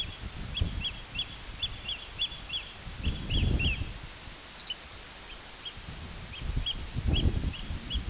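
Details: Eurasian oystercatcher filmed 31 May 2023, giving loud, shrill piping notes in quick irregular runs, several per second, over steady low wind rumble.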